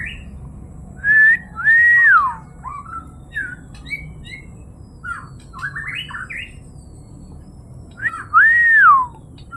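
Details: White-rumped shama (murai batu) singing loud, rich whistled phrases: two strong arched whistles that rise then fall, about seven seconds apart, with shorter varied chirps and twittering notes between them over a faint low background hum.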